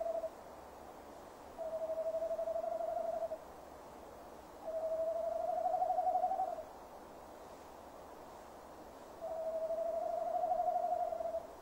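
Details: Near its nest box on a December 2015 evening at about 17:10, a male tawny owl gives three long quavering hoots, each lasting nearly two seconds with a pulsing vibrato, spaced by silent gaps of over a second.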